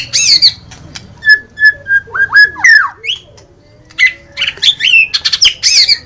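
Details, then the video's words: White-rumped shama singing a varied series of short whistled notes, several level and repeated, others rising or slurred, mixed with sharp high chips and a few harsh bursts. "SUARA BURUNG - Murai batu DIJAMIN LANGSUNG NYAUT dan GACOR dengan suara murai batu terbaik ini"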